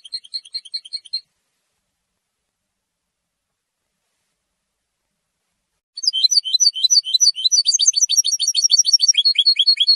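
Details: Territorial and courtship song of a European goldfinch: a brief high trill at the start, a long silence, then an extended, loud run of rapid chattering and twittering notes in a clean, quiet setting.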